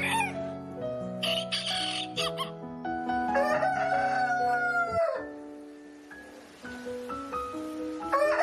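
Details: Farm chickens, a rooster and hens: rough cackling bursts, then a long drawn-out crow that rises and falls over about two seconds. Steady instrumental music plays throughout.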